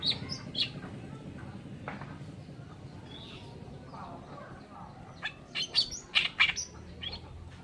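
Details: Oriental reed warbler: sparse grating notes early, then a loud burst of rapid, harsh, chattering syllables near the end, all over a faint low rumble.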